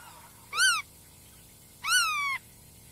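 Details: Black-tailed Godwit (Limosa limosa) giving two nasal, rich-toned calls: a short arched note, then a longer one slurring downward, about a second apart, over quiet background.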